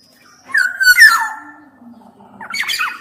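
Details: Black-naped oriole giving a short loud whistled slur with a harsh, grating edge, then a lower quiet note and a final burst of scratchy squawking.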